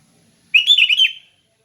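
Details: One brief liquid phrase from a sooty-headed bulbul in relaxed 'ngeplong' song: a quick run of four or five warbled, rippling notes rising then dipping, clear and close against a silent background.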